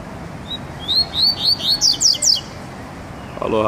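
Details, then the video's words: Double-collared seedeater on its first test and outing sings a quick run of about ten high, bright notes in under two seconds, each slurring downward, ending with a brief low rustle. "coleiro SAGAT"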